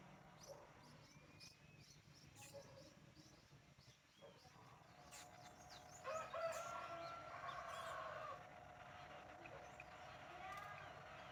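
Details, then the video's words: A Brahma rooster crowing in the morning gives one long, hoarse crow that rises and then holds for several seconds, after small bird chirps, over a low background hum. "Brahma Rooster crowing in the morning"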